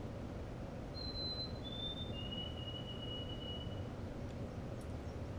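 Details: White-throated Sparrow song on Isle Royale, where the birds return in spring to nest and sing from before dawn until after dark in May: three pure, high whistles stepping downward, the last held long, over low room noise.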